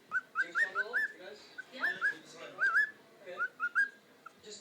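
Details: Pet cockatiel singing and talking, repeating short bright whistled phrases of rising and falling notes in quick bursts, with softer murmured chatter between the phrases.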